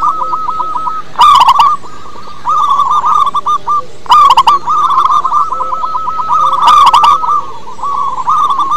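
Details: Song of a local wild zebra dove, used as a lure to prompt other doves to sing: rapid bubbling coo trills repeated in phrases, each phrase started by a loud, rich accented note, faint low hum beneath.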